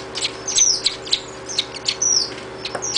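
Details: Chimney swift nestlings being fed in rehab beg with rapid, thin, high chips and brief squeaky slurs, several each second, over a faint low hum.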